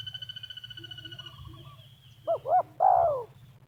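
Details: Spotted dove (terkukur) in Liwa, West Lampung, Indonesia, where village trappers lure birds toward a snare; the local call style is named meruas. Three loud, hollow, arching coos come in quick succession near the end, after steady insect buzzing and a faint trill.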